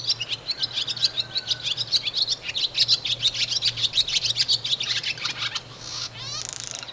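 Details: Barn Swallow song, sung by male or female during pair formation, used by the male to attract a female and show a nest site: fast, bright twittering chatter of high chirps for about five seconds, ending in a dry, grating buzz.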